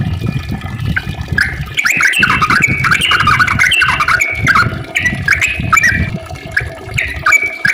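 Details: Lure recording of a yellow-vented bulbul singing 'ropel panjang': a dense run of warbled, jumping notes with little pause, over steady low-pitched rumble and noise.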